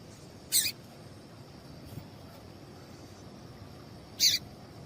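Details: Female double-collared seedeater giving calls meant to stimulate males to sing. Two quick, bright high-pitched chips roughly four seconds apart, the first slightly doubled, over low background hiss and a faint steady tone.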